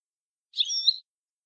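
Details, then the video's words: European goldfinch of the Shami (Syrian) type giving approved song 'language' 31: a single half-second twittering, buzzy phrase, high and fairly level, with accented start and end, then quiet. "لغة حسون شامي معتمدة 31"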